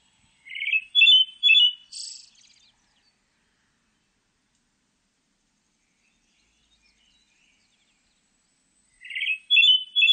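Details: A Pale Thrush, recorded in 2020 with insect sounds present, sings a short phrase of clear, fluty notes ending in a thin, scratchy trill, then repeats it after about eight seconds of silence.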